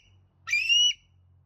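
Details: A captive ambassador bald eagle at a bird treatment and learning center, recorded October 10, 2024, gives one thin, high whistled squeal of about half a second, rising slightly then holding steady, over a faint hum.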